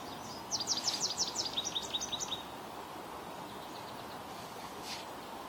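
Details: American goldfinch in Ontario: a quick run of high, thin chirps lasting about two seconds, bright and slightly irregular, followed by steady background hiss with one faint high note near the end.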